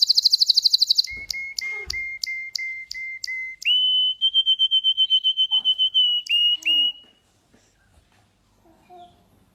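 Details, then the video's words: A canary sings a fast high chatter, then steady repeated notes, then a long rolling trill that stops abruptly; a faint voice follows. "canary singing"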